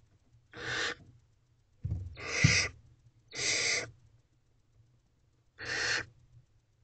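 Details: Female barn owl feeding her owlets in a nest box at night, 23 April 2023; four loud broad hissing screeches spaced about one to two seconds apart, each under a second long, with a few bumps and a low hum beneath.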